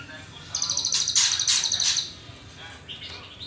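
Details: Juvenile white-rumped shama in its spotted trotol stage, before the pastol stage, giving a rapid, very high buzzing trill of evenly repeated pulses for about a second and a half, with sharp clicks around it and quiet afterwards.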